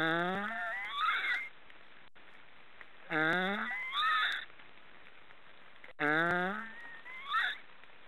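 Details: Black storks snoring in a steady rhythm, about three calls in eight seconds: each starts as a low, buzzy, rising moan and ends in a sharp higher squeal.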